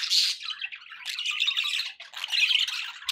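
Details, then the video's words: Budgies calling indoors as pets, scratchy warbles and squawks in overlapping phrases, briefly pausing midway. "budgie sounds with background noise for relaxation"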